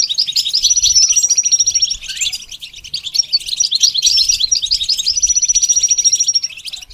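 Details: Lively goldfinch singing for song training: dense, tinkling twitters broken by two long, thin, steady whistles, with a brief upward-swooping note between phrases.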